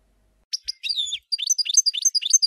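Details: Goldfinch song opens with a few scattered chirps and a slurred liquid phrase, then breaks into quick bouncing twitters repeated several times a second.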